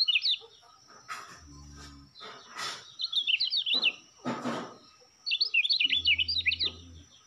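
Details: Lombok white-eye kept for song contests gives quick, high twittering phrases that rise and fall, in three bursts, interrupted by sharp clattering knocks and a low hum.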